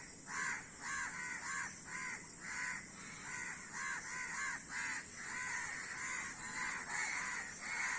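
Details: Many crows cawing: short, raspy, harmonic caws follow each other almost without pause, roughly two every second, in an uneven chorus.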